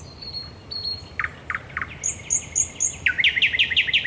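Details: Nocturnal common nightingale song, Raszyn Ponds, Poland, 10 May 2021: a thin long whistle, three slurred lower notes, repeated high piping, then a rapid loud trill of sharp rising notes.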